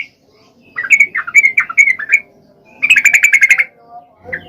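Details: Lively Yellow-vented bulbul song used to goad reluctant males into singing: slurred liquid warbles for about a second, a brief gap, then a faster rippling burst and a lone closing note.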